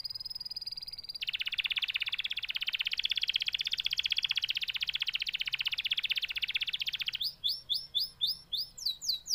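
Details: Canary delivering a sustained, rapid, rolling trill of quick repeated notes for about six seconds, then switching to a series of separate sharp, rising chirps, with a faint hum in the background.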